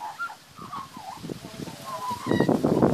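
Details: Young magpie in a backyard during feeding gives short fluty, gliding warbled notes, then a burst of harsh, raspy squawks near the end of the clip.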